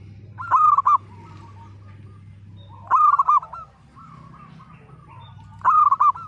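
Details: Local zebra dove, split-voice style, delivers three loud trilled coo phrases roughly every 2.5 seconds with softer trailing coos, as a lure to get silent birds singing; steady low hum in the background.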